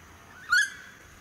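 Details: In a suburban area of the Sunshine Coast, Queensland, in May 2018, a Noisy Friarbird gives a single harsh, nasal note about a tenth of a second long and slightly rising, over a quiet background.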